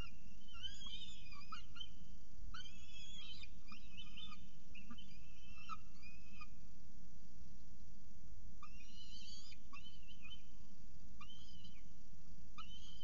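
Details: Early-morning first feeding at a peregrine falcon nest in Orange, 6.36 am, 21 October 2018; repeated bursts of rasping, arched harmonic calls, each lasting about a second, separated by brief gaps, against constant low rumble.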